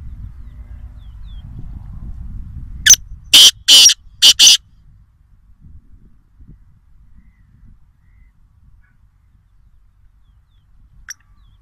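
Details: Black francolin calling near Nawabshah, Pakistan: a brief harsh, grating phrase of four rasping bursts in quick succession, following a stretch of low background rumble, then quiet.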